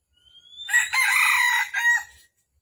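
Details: Wild red junglefowl male at dawn on 13 December 2021 during trapping, coming in to fight, gives a single hoarse, clipped crow of about a second and a half ending in a brief rising flourish; a thin faint whistle comes just before.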